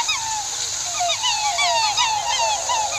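Several swans calling together in a dense chorus of bugling, slurred honks that rise and fall, overlapping continuously with constant background hiss.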